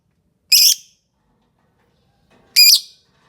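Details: Two sharp, squeaky screeches from a lovebird, roughly two seconds apart, each brief and metallic-sounding, with quiet in between.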